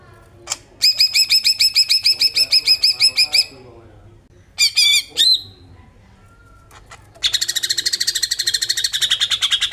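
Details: Greater green leafbird singing to stimulate other birds: a fast run of loud repeated metallic notes, a short harsh burst, then a dense rapid buzzy chatter, all close and high-pitched.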